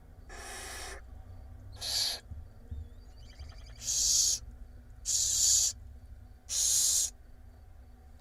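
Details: Hungry barn owl nestlings in a monitored nest box in Israel beg while their mother feeds them in April. Repeated rasping, hiss-like screeches last under a second each, with quiet gaps and faint clicking between bursts.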